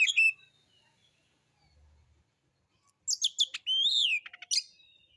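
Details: White-rumped shama, a caged songbird, song used as a lure to provoke other birds to sing, in a rough, harsh style: a short whistled phrase, a pause, then a burst of buzzy notes and a loud rising whistle.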